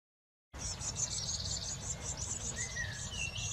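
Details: Eurasian blue tits at a garden nest box during brood care; a dense run of thin, very high chirps repeats rapidly and unevenly, with one lower sliding whistle near the end over steady low background rumble.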